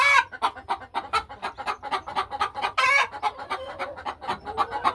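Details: Hen house of laying hens during a quiet farm afternoon; steady stream of short, repeated clucks from several birds, overlapping, with one louder harsh squawk near the middle.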